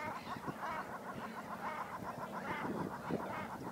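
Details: Common shelducks (Tadorna tadorna) in a polder near Ridderkerk quarrelling in breeding season when birds come too close: rapid, repeated nasal quacking, about six notes per second, running continuously over a noisy background.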